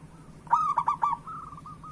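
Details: Local Indonesian zebra dove singing steadily, its song meant to prompt lazy doves to sing: a low, mellow coo phrase broken into several quick rolling pulses, then a softer trailing coo; faint background hum.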